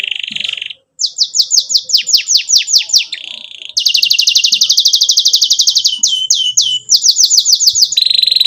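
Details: Canary in full song, a lively lure recording for young canaries learning to sing: high whistled sweeping notes repeated fast, then a long rapid buzzing rattle and more downslurred whistles, clear and loud.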